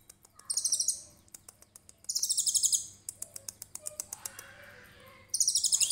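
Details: Konin trotol in 'tembakan cililin' song, recorded as a tutor for songbirds: short and longer shrill, fast-pulsed trills, separated by runs of dry clicking, with a final trill starting at the end.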